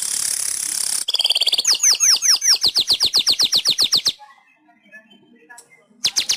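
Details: Indonesian master recording of a weaver for pet-bird training: a steady, high, sizzling hiss shifts into a run of rapid, ringing, down-slurred notes, over a dozen in about three seconds, then quiet with a final short buzz.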